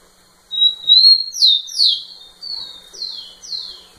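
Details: Song of a rufous-collared sparrow performing close to a female: a level high whistle sliding into a series of bright, falling slurred notes, each about half a second apart and fading toward the end.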